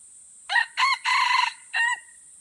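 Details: Red junglefowl crowing in a crowing battle at Kuta Malaka, Aceh: a loud, hoarse, four-part crow of short rising notes, a long sustained middle phrase, and a clipped final note, over a steady high insect drone.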